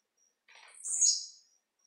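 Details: One loud, sharp, buzzy downward-sliding note from a tiziu (blue-black grassquit) singing in the 'de pulo' leaping style, with faint insect ticking before and after.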